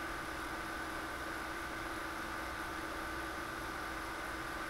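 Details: Only a steady, droning mechanical hum like an idling engine fills the recording, with no animal calls.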